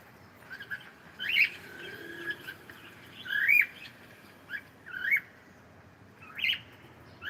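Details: Cockatiel saying good morning in a run of soft, scattered chirps and short rising whistled notes spread across several seconds, with low indoor hiss underneath.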